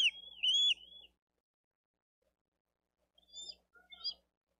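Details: Younger bald eagle chick begging for food at a live-cam nest in Dade County, 13 April 2023, while an adult feeds the eldest chick; a thin, high wavering whistle lasting about a second, then a pause and a few short high chirps.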